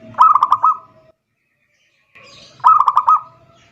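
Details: Zebra dove calling a rival, used as a lure call: two cooing phrases, each a bright stuttered burst of quick staccato notes rolling into a sustained trill, separated by about two seconds of quiet.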